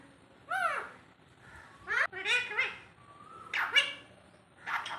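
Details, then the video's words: Alexandrine parakeet imitating human speech, several separate harsh, nasal word-like phrases with arched, rising and falling tones, each about half a second, separated by short pauses. "টিয়া পাখির অসাধারণ কথা। পাহাড়ি চন্দনার কথা"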